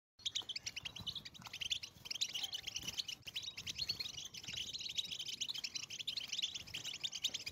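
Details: European goldfinch mating song, several birds together, used to stimulate breeding in late males and females: dense fast twittering and tinkling chatter, mostly high-pitched, running continuously with rapid clicky trills.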